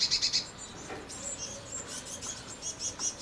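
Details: Blue tits at a nest box, recorded 8 and 9 May 2020. Four quick, high, clipped notes open, followed by fainter, scattered high notes.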